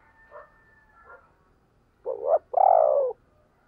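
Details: Decoy spotted dove delivering a single phrase: a quick rough rising note and a long, breathy, falling croo, preceded by faint distant coos.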